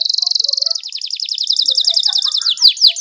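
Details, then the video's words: Canary singing a clear, richly varied rolling song to stir silent canaries into song; a rapid even high trill shifts into quicker stuttering notes, ending in a few sharp descending chips. "KENARI GACOR ngeroll panjang cengkok mewah suara jernih buat pancingan kenari males bunyi"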